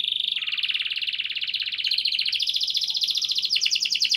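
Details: Canary in full, clear-voiced song, used to coax non-singing canaries into singing. A dense, continuous high rolling trill steadily climbs in pitch and breaks into rapid repeated chirps near the end, with faint background hum.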